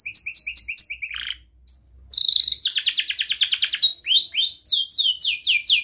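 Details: Young canary whose song serves to train other canaries, delivering short repeated chirps, a high thin whistle, then a fast rattling trill and a run of bright sweeping notes repeated in quick succession.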